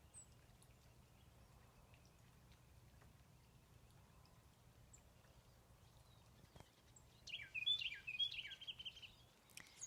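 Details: Black-crested Titmouse at a home in Dripping Springs, giving a quick run of harsh, buzzy scolding notes near the end, after a quiet stretch with low background hum.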